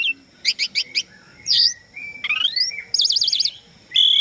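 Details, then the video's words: Asian pied starling singing, used as a tutor track for captive birds: four ringing chip notes, a dipping whistle, a rising buzzy ladder of notes, a rapid wavering trill, then a sustained high whistle. "SUARA BURUNG JALAK SUREN GACOR FULL ISIAN"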